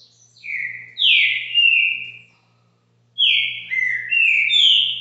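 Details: Captive green-winged saltator at a home in Brazil, singing two bright whistled phrases of sliding, swooping notes separated by a short pause, over a soft steady low hum.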